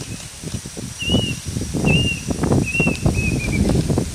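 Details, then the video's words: Plaintive cuckoo, Cacomantis merulinus, heard during Cyclone Yaas: four short whistled notes, each slightly rising or wavering, spaced about every 0.7 seconds, over loud roaring wind and rustling storm noise. "The plaintive cuckoo (Cacomantis merulinus) During Cyclone Yaas"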